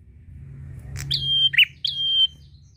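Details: Prinia in full song, calling a rival: two long, steady, high whistled notes with a short, lower buzzy chip between them, against a quiet low hum.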